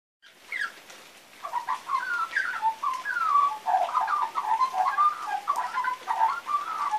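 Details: Young magpie practising a song that is not quite right yet: a rambling run of warbled, gurgling notes at mid pitch, with slurred rising and falling whistles tumbling in quick succession for about six seconds.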